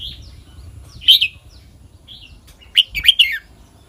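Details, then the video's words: Red-whiskered bulbul song in the quick-jok-kwai-liang style: a soft whistle, a loud bright double note, then after a pause a rollicking run of three or four punchy, liquid whistled notes over quiet low rumble. "เสียงนกกรงหัวจุก [ควิก-จ่อก-ไขว้-เลี้ยง]"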